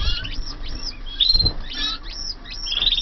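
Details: Canaries from 2014 in a flight aviary giving scattered whistled upslurred chirps and short sweeping notes, with low rumbling background noise.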